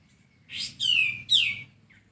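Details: Sooty-headed bulbul, masteran tutoring recording to bring birds into song quickly: a short rough lead-in followed by two bright, harmonically rich notes each sliding downward, ending in a faint chirp.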